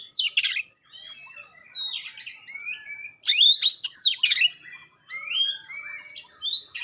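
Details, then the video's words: Oriental magpie-robin delivering sharp, clear 'tembakan' phrases that prompt rival magpie-robins to reply: varied high whistles, rising slurs and raspy bursts in quick succession with brief pauses. "suara tembakan tajam juga suara jernih bikin kacer lain langsung respon ngobra"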